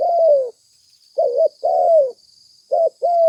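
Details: Spotted dove cooing, used as a lure for trapping: rounded hollow coos in short phrases, a long coo, a pause, then two doubled coos and another long one, loud and clean with almost no background.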